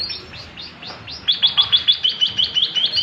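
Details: A tame white-headed munia in full, long-rolling song gives a rapid series of thin, high, squeaky notes, about three per second, after a softer opening run of faint rising whistles.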